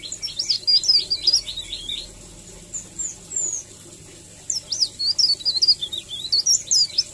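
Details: Leaf warbler singing a melodious 'ngerol' style song: rapid bursts of high, thin, twittering notes sliding up and down, a quick run for two seconds, then scattered squeaks, a pause, and another lively burst.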